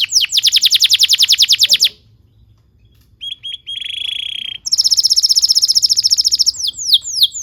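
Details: Canary singing a lure song for training young birds to sing: a dense high rattling trill, a brief pause, a few steady clear whistles, then another fast metallic trill ending in sweeping notes.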